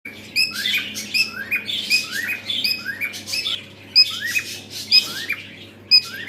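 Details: A pet cockatiel, noisy every time, gives bright, repeated whistles and chirps, with sharp high notes roughly every second.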